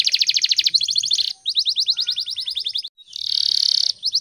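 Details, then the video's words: Canary song used in the morning as a training lure for other birds: fast rattling trills and buzzy rolled phrases in quick succession, with a brief pause before a dense churring roll. "PANCINGAN SUARA BURUNG KENARI GACOR PAGI HARI"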